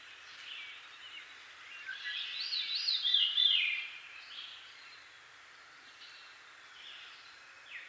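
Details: Veery singing in eastern North America, a clear, flutey phrase of downward-spiralling notes rising to a peak mid-phrase then fading, with softer bird notes from a Northern Cardinal and Red-winged Blackbird in the background and faint rustling.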